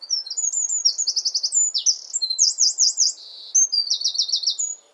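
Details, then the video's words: Eurasian wren singing from a favourite perch in a garden near its nest, a loud, high, rapid outpouring of sharp notes and fast rattling trills, with phrases changing every second or so and no pauses. "WREN BIRD SONG"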